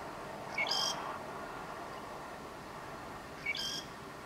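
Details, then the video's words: Southern grey shrike in north Lanzarote in October 2018: two short, bright, scratchy phrases with sharp high notes, about three seconds apart, over a steady hiss of background noise. "(Southern Grey) Shrike song"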